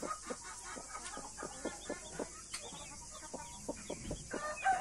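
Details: Blue mother hen with her Australorp and Brahma chicks: a run of short, soft clucks repeated several times a second, with faint higher peeps and a constant hiss in the background.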